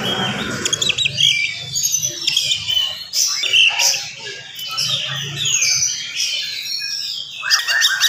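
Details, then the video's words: Oriental magpie-robin pouring out fast morning song meant to provoke other magpie-robins; jumbled chatter, whistles and harsh squeaky notes in bursts, with low voices of people in the background. "SUARA KACER GACOR DIPAGI HARI SPEED RAPAT cocok untuk naikin emosi kacer yang dengar"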